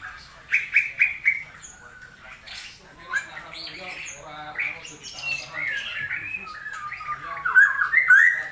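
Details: Cucak rowo, the straw-headed bulbul, in a wet, rainy season: a burst of three loud, mellow notes, then scattered quieter warbles building to bright, slurred phrases at the end.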